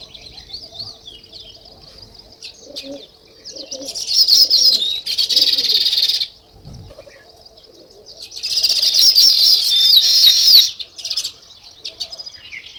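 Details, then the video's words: Sparrows chirping in nature: scattered high chirps over a faint steady hum, broken by two loud bursts of massed twittering from the flock. "Natural Sparrow Chirping Sounds"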